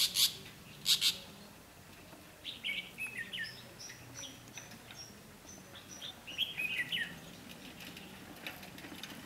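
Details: Red-whiskered bulbul used as a decoy during trapping on 12 August 2016, singing competitively to lure wild birds: short bright warbled phrases in two bursts, preceded by two loud sharp clicks, over a low steady background hum.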